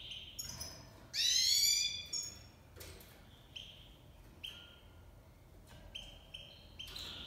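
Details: Tamed Iranian goldfinch (Himalayan × black-headed cross) during breeding season, giving a harsh buzzy rattle followed by sparse, clear, high chirps and short whistled notes spaced apart.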